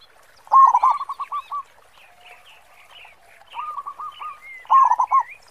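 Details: Zebra dove, local bird with a large 'khong' voice used to prompt other doves: a loud burst trailing into clipped coos, a gap filled by twittering small birds, then another series and a final loud burst.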